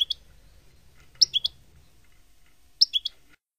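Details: European goldfinch performing a Palestinian song style used to teach young birds; brief bright chirps in clusters of two or three, spaced by quiet gaps, with light low-frequency room noise.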